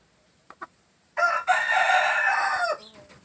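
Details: Crowing gamefowl, a green-legged red kept with a jumbo pheasant: two faint ticks, then a single loud, coarse, sustained crow of about one and a half seconds that ends with a falling tail.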